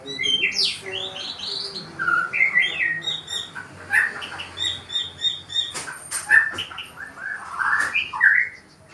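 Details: Forest-dwelling white-rumped shama courting a female, pouring out rich whistled song of bright slurred notes and quick chattering runs, phrases rising and dipping, broken by some sharp clicking knocks midway.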